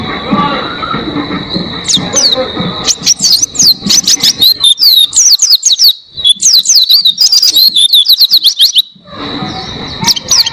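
An Oriental white-eye pours out a long, rapid, high-pitched twittering song of thin chirps and slurred whistles, with faint murmuring voices underneath at the start and end.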